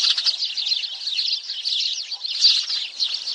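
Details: Short burst of sparrow flock chatter used to lure sparrows for trapping: quick, high, jumbled tweets from several birds in a steady stream.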